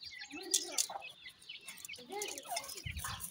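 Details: Small francolin chicks during feeding, with high thin chirps over lower rising mid-pitched notes, short bursts of twittering, and a brief low thud at the end.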